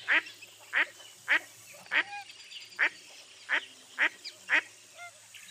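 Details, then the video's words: Repeated raspy quacks from a mottled duck, roughly one to two per second at uneven spacing, each a short downward-slurred nasal note; a faint higher whistle-like sound appears near the end. "Mottled Duck Call"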